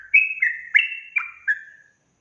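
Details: Sooty-headed bulbul singing a short burst of four or five bright whistled notes, slurred downward, ending in a fading tone, then silence.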